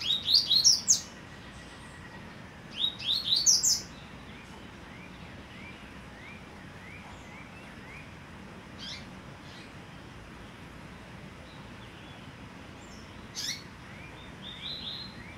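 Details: A hand-raised young bird, raised from the egg, sings two quick bursts of high, sharp twittering notes copying its father's song, separated by a short pause, with a waterfall and a thrush in the background.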